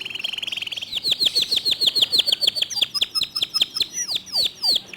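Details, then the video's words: Clear, fast local canary song: a quick low stuttering trill gives way to a string of loud, evenly spaced downward-swooping whistles, about four per second, with sparse high notes near the end. "Kicau Kenari Lokal Tembakan speed rapat Suara Jernih"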